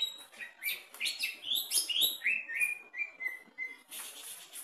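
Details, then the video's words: Greater green leafbird kept in a cage and tested at its bottom, pouring out a fast, dense song of high chirps and slurred whistles, ending in a string of steady level whistled notes and a raspy burst. "Tes mental cucak ijo di bawah gacor!!!"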